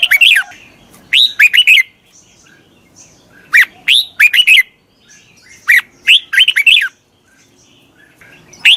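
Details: Decoy red-whiskered bulbul luring wild birds, delivering repeated short bursts of cheerful, swooping, whistled chirps in groups of three to five notes, with brief gaps between them.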